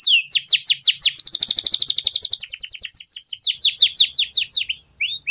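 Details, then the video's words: Tutor song of a canary for juveniles learning ngeriwik: swooping whistles followed by a very rapid, dense trill, slowing into spaced descending chirps and short upward flicks. "Suara PANCINGAN KENARI PAUD BeLajar Bunyi NgeriwiK"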